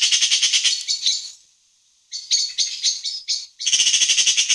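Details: Eurasian (black-billed) magpie recorded in the afternoon giving a harsh, rapid rattling chatter in fast bursts of dry notes, broken by a brief pause, then resuming.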